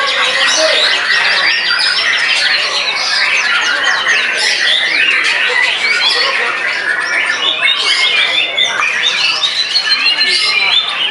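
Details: Freshly moulted white-rumped shama in a long, frenzied song against a rival: relentless jumble of fast trills, sharp whistles and harsh chatter, steady and loud throughout.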